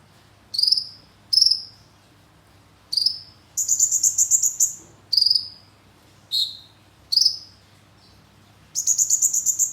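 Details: Konin, a songbird kept for its song, singing a varied phrase of high whistled notes, some sliding downward and others rapid trilled runs, in short bursts separated by brief pauses; mimicry of a kemande bird in its repertoire.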